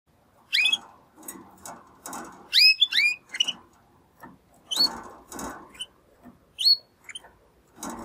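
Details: Two young male Timbrado canary brothers, caged, hatched in the second breeding of 2020, making their first attempts to sing after their first molt; scattered short rising whistled notes and brief chirps separated by pauses, with soft rustling and clicks between phrases.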